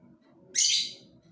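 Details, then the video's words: Lovebird with one sharp, piercing high chirp lasting about half a second, then fading, over a soft low hum. "Burung Lovebird"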